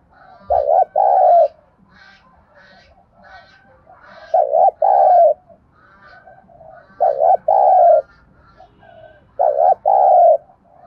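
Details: Lure cooing in the thúc gù style from a spotted dove, meant to draw wild doves to a trap: four low, husky double coos about every 2.5 seconds, with quiet warbling and faint distant chirps between.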